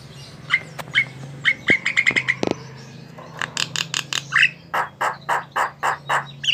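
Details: Jalak (starling) singing vigorously: a run of short, clear whistled notes near the same pitch, then a series of loud, harsh, broadband chattering notes about three per second, with a faint low hum underneath.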